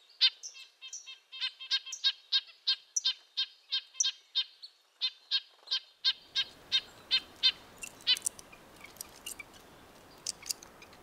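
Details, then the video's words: Red-breasted nuthatch giving fast nasal, tinny notes, about three per second, that fade as a broad rushing noise, like wind or water, rises from midway and covers the end. "Red-breasted nuthatch sounds, Sounds of the Canadian Nuthatch"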